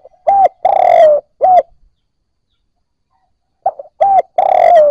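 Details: Newly caught spotted dove starting to coo, a sound used to stimulate other newly caught birds: two phrases, each a short clipped note, a longer slurred coo and a drawn-out falling coo, separated by two seconds of silence.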